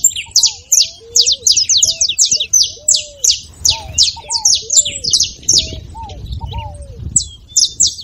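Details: Saffron finch in full song to prompt another bird to sing: crowded, rapid high chips that thin out toward the end, with soft low curved whistles throughout.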